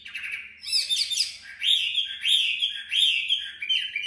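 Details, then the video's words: Tame caged Chinese hwamei singing in competitive style: loud, ringing phrases of rising, slurred whistles repeated about once a second, bright and high, with a faint low hum behind. "Mi thuần MCB99x8A đẹp hót đấu giọng hay tốc độ mỏ tốt"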